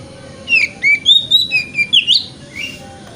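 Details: Morning lure song of a kacer (Oriental magpie-robin) in wikplong style, aimed at getting a bird to open its tail: one brisk phrase of about eight loud, clear whistled notes sliding up and down over faint background hiss.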